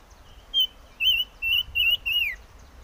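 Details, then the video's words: Chim ngũ sắc singing: one short whistle, then four longer quavering whistled phrases in quick succession, the last sliding downward at its end; background otherwise quiet. "Suab Noog Quaj || Chim ngũ sắc hót hay"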